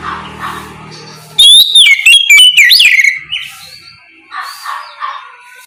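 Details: Oriental magpie-robin giving its ngeplong song in the morning as a prompt for others to respond; a loud two-second run of fast, looping whistles sliding up and down, followed by soft distant bird chatter.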